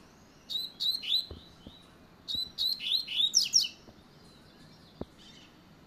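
Double-collared seedeater singing two quick bursts of high, sweet, slurred whistles and twitters, each about a second long, with a few soft clicks between.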